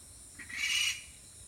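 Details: Hidden Okinawa rail giving an alarm call while wary of the camera nearby: one rasping, noisy burst lasting about half a second, starting with a brief lower note, against a steady high hiss.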